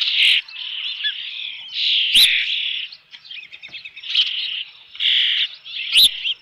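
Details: Osprey on its nest with a fish at Dunrovin Ranch, June 3, 2018, late afternoon: a series of high, scratchy whistled cries, a quieter chattering stretch in the middle, and sharp clicks.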